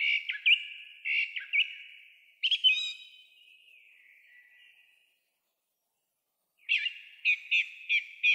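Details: Song thrush in early April 2023 in the evening, singing from a tall pine top by an old railway crossing near Zarechny; clear loud whistled notes repeated several times in quick series, one phrase trailing off, then a new burst of repeated notes.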